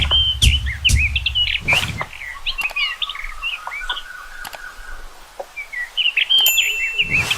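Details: Common rock thrush singing: quick warbled phrases of short, bending whistled notes, with sharp clicks, a low rumble at the start and a steady faint tone in the background.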